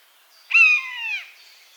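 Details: One short buzzard mew from a wild bird in natural habitat: sudden onset, a level harmonic tone, then a gentle downward slur over about three quarters of a second.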